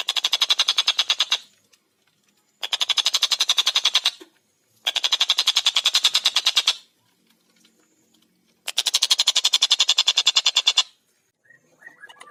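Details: Tengkek buto (collared kingfisher) sings busily in a clear, fast series: four long bursts of rapid, harsh, evenly repeated kek notes, each about two seconds long, separated by short silences.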